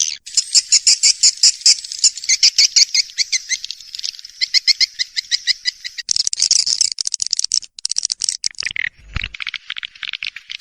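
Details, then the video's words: Swiftlet calling sound: fast, evenly pulsed high twitters that merge into a continuous buzzy chatter, with a brief low thump near the end. "Suara panggil sembilan belas detik"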